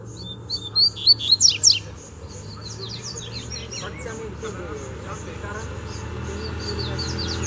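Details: Double-collared seedeater in the wild calling to fight over territory: one loud phrase of whistles and falling strokes in the first two seconds, then fainter distant singing amid insect chirring and a man's voice.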